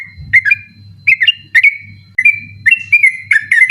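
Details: Night-time ropel song of a sooty-headed bulbul meant for tutoring contest birds; liquid whistled phrases with quick up-down inflections, a held level note midway, then a faster series toward the end, constant low hum behind.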